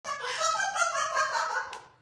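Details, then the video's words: A pet parrot lets out a loud, drawn-out, harmonically rich squawk lasting about two seconds. It holds steady, then fades away, and a person's voice follows. "Funniest Parrot Sounds"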